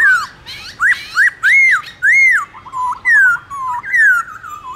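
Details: Morning duel singing of a Black-throated laughingthrush in 'forest voice' style, a training recording: a rapid run of strong, looping whistled notes, each sweeping up and falling away, with a short stuttered trill partway through.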